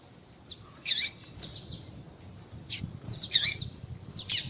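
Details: Female double-collared seedeater calls meant to warm up a male for singing: a few scattered loud, high chirps with curved tails among softer faint notes, with light background hiss.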